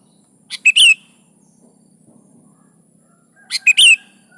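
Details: A sooty-headed bulbul (kutilang) in steady song, meant to prompt other bulbuls to answer. It gives two brief phrases three seconds apart, each a sharp pip then two bright slurred whistles, over a faint low rumble.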